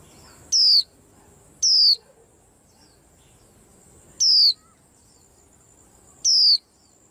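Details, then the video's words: White-eye giving four identical thin, very high notes, each sliding downward, spaced irregularly about one to two and a half seconds apart, over a faint low hum. "Tiếng Chim Khuyên Làm náo loạn cả giàn"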